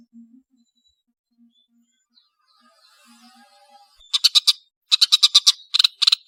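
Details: Cendet, the long-tailed shrike: after near silence, quick bursts of loud rattling, clicking notes in groups of four to six follow one another.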